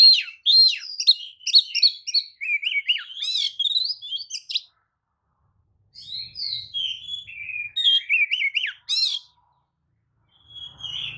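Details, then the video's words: Oriental magpie-robin (kacer) spreading its tail and singing a lure song to make other magpie-robins respond: two long bursts of dense, varied whistles, warbles and harsh rasps separated by a silent gap, with a brief whistle at the end. "kacer manapun jelas nyaut oleh kicau pancingan kacer buka ekor!"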